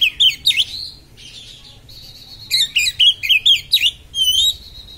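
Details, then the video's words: Sharp 'konslet' song of an Oriental magpie-robin, meant to provoke rival magpie-robins: loud, varied, high whistles and sweeping slurred notes, with bursts of rapid chattering phrases and a sustained steady whistle near the close. "kacer konslet suara tajam part2 (vidio original memancing kacer anda konslet"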